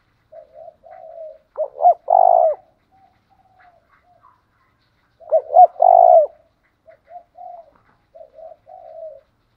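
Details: Spotted dove cooing used to rouse rival males: soft, low burbling notes build into two loud phrases of quick clipped coos and a rough, drawn-out middle note, with quieter cooing between them.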